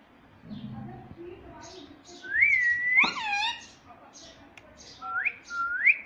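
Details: Pet Indian ringneck parrot, said to talk mummy and papa, giving drawn-out whistled notes that rise and hold, one harsh harmonic squawk in the middle, and two quick rising whistles near the end, with quiet room noise.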